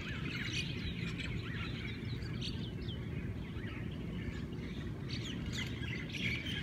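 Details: Scattered chirps and short whistled notes from several Hawaiian birds in a morning chorus, partly masked by a persistent low rumble.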